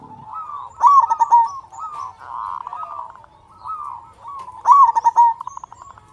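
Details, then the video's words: Local Indonesian zebra dove in full song, used to make other doves sing sooner. Loud stuttering bursts ending in a bright coo open and close the clip, with softer rounded coos between. "Perkutut Lokal Gacor Suara Besar Pancingan Burung Perkutut Agar Cepat Bunyi"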